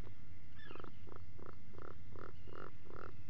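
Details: Atlantic puffin Bucky on a burrow cam at breakfast, 04:58 on 28 June 2019, gives a run of about seven low, growling, pulsed notes, roughly three per second, over a steady low rumble.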